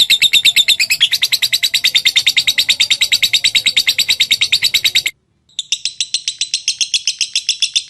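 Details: Lovebird calling as training audio meant to prompt a reply: fast, evenly repeated shrill chirps running for five seconds, a brief gap, then the rapid high chirping resumes.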